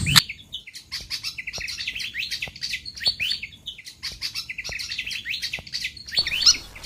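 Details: Pied fantail calls from a lure track meant to attract wild fantails: a steady stream of high, thin chirps and short down-slurred whistles tumbling together without pause, with faint ticking sounds in the background.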